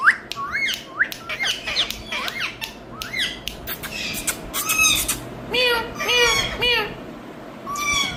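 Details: Pet rose-ringed parakeet from India chattering in a small room, producing many rapid squawky, speech-like syllables, some paired and wavering, with bursts of clicking between them.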